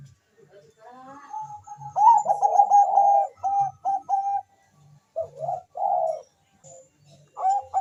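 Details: Zebra dove calling very fast as another answers: bursts of rapid, stuttering staccato coos on one pitch, broken by short pauses and some fuller rolling notes, with faint low thumps behind.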